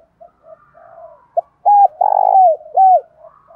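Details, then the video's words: Decoy spotted dove giving its luring coo to attract wild males: quiet low notes lead into three loud, deep coos, the middle one long and sustained, ending with softer trailing notes. "Tiếng cu mồi thúc. gáy gọi kích bổi chuẩn / Cu gáy mồi gáy gọi 1 hậu / Chim cu gáy mồi kích trống"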